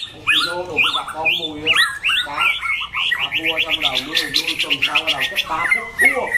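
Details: White-rumped shama bred for singing contests, loud and enduring, repeating upslurred whistles about twice a second, then a rapid buzzy trill and a few closing whistles.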